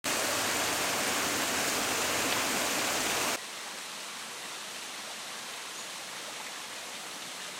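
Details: Steady rushing broadband noise like flowing water, dropping abruptly to a quieter hiss after about three seconds, with no animal voices.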